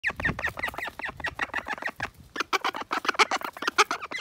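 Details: Call ducks quarrelling: a dense burst of harsh, nasal quacks comes in rapid overlapping volleys, with a short pause near the middle before the squabbling resumes even louder.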